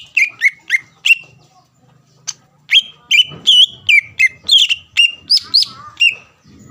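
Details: Loud greater green leafbird song meant to provoke a rival bird into calling, a fast run of clear whistled notes that dip and flick, with a brief pause midway before a busier, denser stretch.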